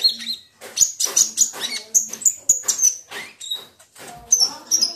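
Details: Olive-backed sunbird (kolibri ninja) lure recording meant to prompt singing: quick strings of very high, sharp chirps and thin whistles, repeated in rapid clusters with brief gaps.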